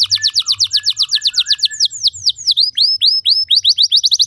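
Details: Canary song used as a training recording so that other canaries sing longer and cleaner: quick descending slurred notes, then looping rising and falling whistles and dense clipped notes in fast succession.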